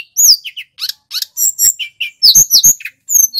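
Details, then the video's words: Loud, clear song of a male little pied flycatcher of local Banyuwangi stock, used as a lure and master recording: high, sharp whistled notes and rapid chattering chirps in quick bursts, with brief gaps between them. "Tledekan gunung (SULGUN) GACOR | Suara masteran & pancingan terbaik burung SRDC / Sikatan rimba"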